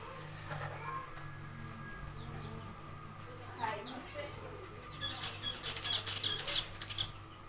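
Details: Zebra finches in an aviary on the second day of nest building: scattered short nasal calls early on, then a lively burst of rapid, repeated high chirps near the end over a steady low hum.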